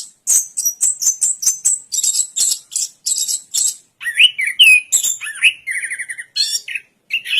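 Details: Indonesian orange-headed thrush singing, first with short sharp high notes repeated several times a second, then with varied, lower fluty warbles, rising and falling slurs, and a buzzy trilled phrase.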